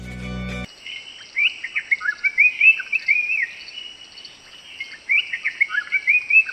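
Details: Black-capped bulbul, a Sri Lankan endemic of forests, woodlands and gardens, recorded near Hatton, Sri Lanka: bright, liquid warbled phrases in two bursts of quick whistled notes rising and falling; a short musical sting opens.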